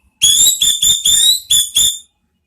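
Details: Orange-headed thrush (anis merah) singing a lure song meant to draw out ngeplong notes, in ngeriwik style: six loud, clear, high whistled notes in quick succession, each steady and slightly rising, with short gaps between them.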